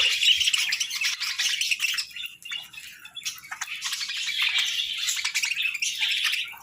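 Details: Budgerigars in the sun chattering: rapid, uneven bursts of high, raspy chirps and warbles follow one another with hardly a break, over a quiet background.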